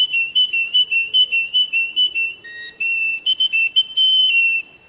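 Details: Russian canary song with quick pulsed whistle bursts, a lower held note midway, then a loud steady whistle that fades out.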